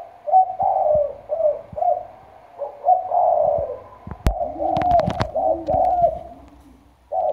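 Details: Deep-voiced decoy spotted dove of the 'thổ sấm' style, Trà Vinh, Vietnam. Loud, low coos repeat in rolling phrases, while a burst of sharp clicks and knocks breaks in midway.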